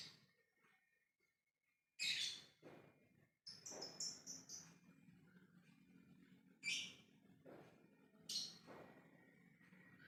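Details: Calling to others, a lovebird in ngekek style gives bright, harsh, high screeches in short bursts: one loud burst early, then a run of chattering notes, then two more shrieks near the end, over a low background hum.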